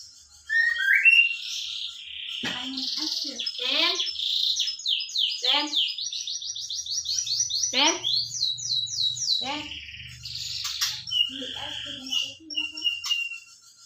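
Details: Caged white-rumped shama in Pemalang, Indonesia, singing with its tutor bird: rich varied phrases of rapid descending whistled sweeps and chattering trills, high and continuous, with a person speaking briefly and faint low hum.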